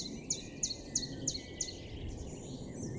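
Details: Common chiffchaff singing in a garden in Weener, East Frisia, far northwestern Germany, April 2022: five sharp, high notes about every third of a second, alternating slightly in pitch, over a steady low background rumble.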